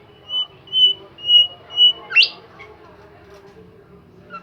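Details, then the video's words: Bimoli bird singing vigorously: four level, pure whistled notes about half a second apart, ending in a sharp rising upslurred note, then silence. "super jos burung Bimoli gacor"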